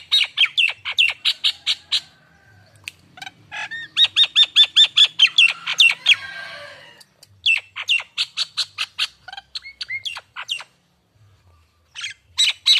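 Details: Common hill myna of the Nias form, a young bird in training, with a starter lure song to prompt singing: rapid runs of loud, squawky, whistled notes repeated in fast bursts, broken by short pauses and a brief harsh rasp.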